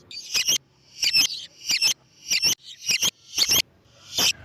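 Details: Lovebird lure sound of a bird singing vigorously: harsh, screechy double and triple chirps in regular bursts about twice a second, very high and shrill.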